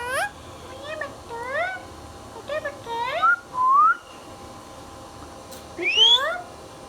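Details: Green pet rose-ringed parakeet, a talking bird, making a run of clear whistled notes that slide upward, several in quick succession, then a longer rising whistle and a late burst of similar sliding notes.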